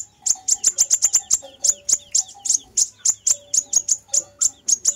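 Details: Sharp, very high tsit notes from a fire-breasted sunbird, a lure recording, pour out in rapid runs that slow to evenly spaced ticks, over a faint low tone.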